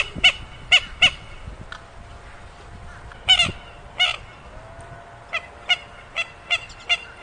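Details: A swamphen gives clipped, harsh nasal notes in pairs and short series. The notes become quicker and slightly softer toward the end.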